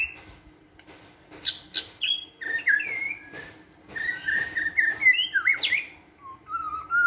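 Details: Flight-cage white-rumped shama in energetic training song: sharp clicks and buzzy bursts, then a string of bright whistled slurs rising and falling, ending with a soft low warble; faint steady hum behind.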